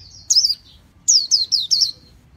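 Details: Japanese white-eye giving high, thin slurred whistles that dip and fall: one note, a pause, then four quick descending notes in a row, over a faint low hum.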